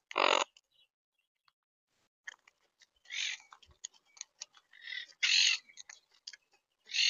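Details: Monk (Quaker) parakeets in Tampa Bay, Florida, give harsh, grating squawks in irregular bursts, with shorter chattering and clicking notes between the louder screeches.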